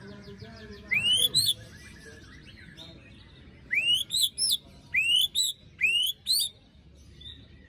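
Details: Shama lure song aimed at birds that went quiet after moulting: one rising whistle with a harsh rasp, a pause, then three quick phrases of upslurred whistles and grating bursts.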